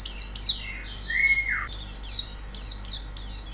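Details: White-eye song for training a bird to sing: loud high downslurred chirps in short bursts, broken by a drawn-out lower whistle that falls at its end, then more rapid high notes.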